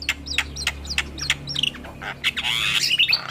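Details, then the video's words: Played to coax stressed black-winged mynas into singing, this song gives quick rasping chatter notes in rapid succession, ending in a loud, dense burst of harsh, buzzy squawking over a low hum. "Terapi Burung Jalak Stres Macet Bunyi Rutin Putarkan Suara Pancingan Jalak Kebo"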